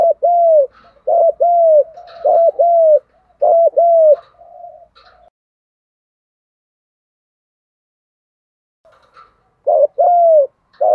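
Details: Strong 'thúc gù' cooing of a spotted dove: a dense run of low hooked coos over the first five seconds, a long silence, then the phrase resumes loudly at the end.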